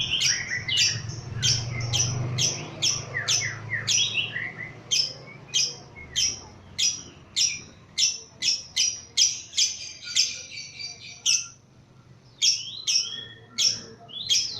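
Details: Lovebird, lively and agile, stirred up by a lure recording, delivering irregular high squeaky chips and chattering bursts, some in quick runs, with short pauses between, over faint low background hum.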